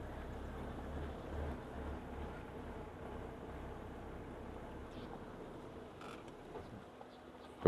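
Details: Low rumbling wind and distant engine drone, with a short knock at the very end and no animal voice.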